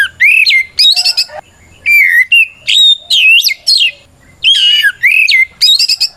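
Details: Lure recording of a white-rumped shama singing aggressively to make other shamas answer and fan their tails; clear swooping whistles, buzzy squawks and sharp high trills packed into rapid phrases with short silences between them.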